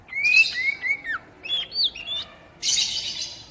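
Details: Oriental magpie-robin singing, used to stimulate untrained captive birds into song. Gliding whistled notes rise and fall in short runs, then a broad, rasping burst ends the phrase. Soft hiss underneath.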